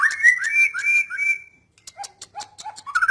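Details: Lively whistled phrases of a white-rumped shama, with a rising flourish and a run of quick notes, then a short gap, a series of soft lower notes and a final burst of trills.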